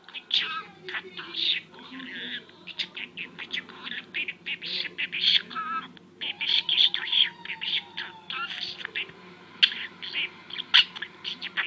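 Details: Talking pet budgerigar, a mimic of coughing, sniffing and Turkish words like "küçük oğlum", pours out rapid raspy warbling syllables in uneven clusters, with a short pause midway and a faint steady hum beneath.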